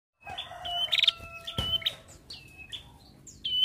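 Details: Female prinia singing actively: sharp high chirps and short whistled notes, some falling, given in quick bursts with brief pauses, over a faint low hum.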